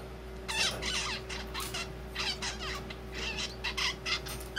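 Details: Zebra finch chick practising its first song; sex unknown, though its singing suggests a male. Halting, awkward phrases of nasal notes and stacked buzzy syllables come in quick bursts over a steady electrical hum.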